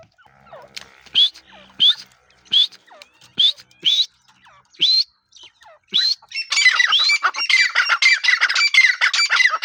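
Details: Grey francolin, called irani teetar, calling: loud, strident rising notes repeated about every 0.7 seconds, then breaking into a fast, crowded run of harsh overlapping calls.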